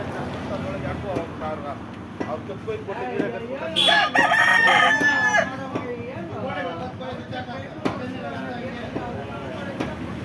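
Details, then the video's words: A rooster crows loudly in the middle, surrounded by a constant chorus of clucking chickens and sharp clicks over a busy background murmur. "Chicken sounds"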